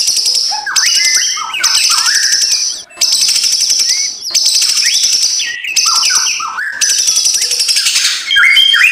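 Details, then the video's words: White-rumped shama in harsh kretekan mode, played to rouse a lazy bird in the morning: repeated dense, buzzy rattling phrases over a steady high tone, separated by brief pauses, with short descending whistled fragments. "MURAI BATU LANGSUNG NGEGASS KRETEKAN K4SAR SUARA RAME || Memancing emosi murai batu malas bunyi"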